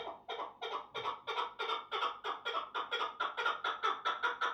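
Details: Chukar partridge calling: a steady run of harsh, clucking chuck notes, about three per second, each a rough burst that grows slightly louder through the series.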